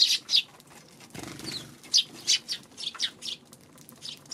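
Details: Chirping Eurasian tree sparrow, 2 March: a string of loud, clipped tweets at irregular intervals, roughly a dozen in four seconds, with a soft rustling noise near the one-second mark.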